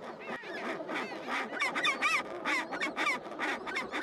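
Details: A dense Chinstrap penguin colony on rocky Antarctic breeding ground with chicks, filmed on early-1970s 8mm: overlapping harsh, honking and wavering calls, about one a second, over steady broadband background noise.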